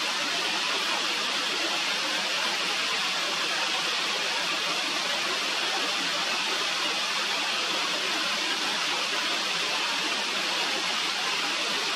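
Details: Steady rushing of a mountain stream fills the whole stretch, with no animal voices standing out above the water.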